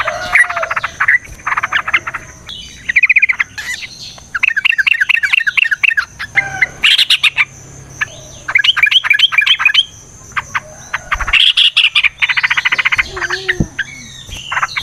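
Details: Energetic yellow-vented bulbul song in fighting style, meant to lure bulbuls into replying: bubbly, liquid whistled phrases and quick chattering runs in varied bursts, with short gaps between them.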